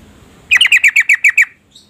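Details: Female yellow-vented bulbul calling to stir a male into singing: a run of eight bright, quick notes, each dropping slightly in pitch, spaced evenly over about one second, then a faint soft note.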